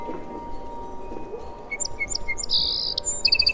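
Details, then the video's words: Sparrow chirping: bright, short high notes in quick bursts, ending in a rapid run of repeated chips over low background hum. "Sparrow Sound"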